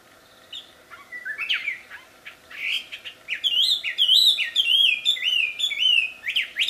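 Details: In the wild, a wambi starts with scattered chirps, then breaks into a loud, melodious run of repeated rising-and-falling whistled phrases.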